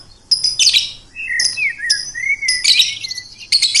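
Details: Songbird singing: bright, high chirp bursts alternating with long, clear whistled notes that glide gently downward, the phrases repeating about every second.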